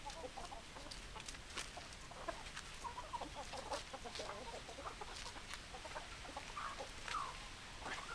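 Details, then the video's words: Hens cluck in a lively stream of short notes with occasional drawn-out higher calls, several birds overlapping over constant low hiss. "Chicken Sounds Noises Hens Clucking Roosters Crowing"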